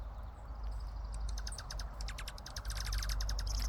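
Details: Birds making a trilling noise: a rapid series of dry, high clicking pulses starts after about a second and grows denser and louder toward the end, over a steady low rumble.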